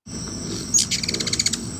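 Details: A Ruby-throated Hummingbird zipping overhead gives a quick burst of squeaky, fast, high chips, about a dozen in under a second, over a low background rumble.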